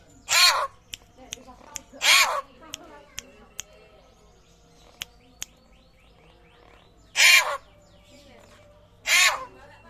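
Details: Rare butcherbird of Papua with a raptor-like voice: four harsh, explosive calls in two pairs separated by a pause, plus scattered short clicks in between.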